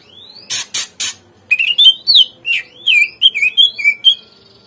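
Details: Lure song of the greater green leafbird for prompting caged birds to respond and sing: three harsh buzzy rasps, then a lively stream of rising and falling whistled slurs and chatter.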